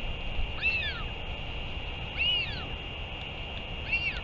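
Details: Calls from a Northern royal albatross at a return and feeding, 31 May 2023: three drawn-out, arching whistled cries about 1.6 seconds apart, over a steady tonal hum.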